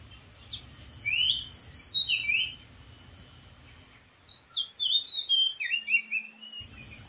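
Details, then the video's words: Wild Oriental magpie-robin singing from atop a dead tree gives two bursts of varied, clear whistled notes that slide up and down in quick succession, over a faint low hum. "KICAU BURUNG KACER DI ALAM LIAR"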